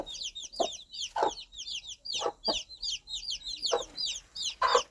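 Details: Mother hen clucking to her baby chicks to guide them toward food, warmth and safety in the countryside; low clucks about every half second under a dense, continuous chorus of high, chirpy chick peeps.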